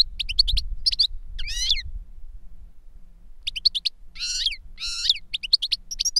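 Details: European goldfinch song: a master reclamo bird and a novice that learned its song from a CD of the master's song. Bursts of high twittering notes and buzzy, wavering trills, with pauses of about a second between phrases.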